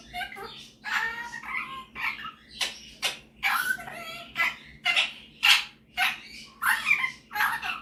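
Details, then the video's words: Pet male superb parrot, a talker and singer, showing off singing and mimicking skills indoors; a fast series of harsh, buzzy chattering notes with stacked warbles, about two bursts per second, varied and irregular. "Superb Parrot Malibu showing off his singing and mimicking skills"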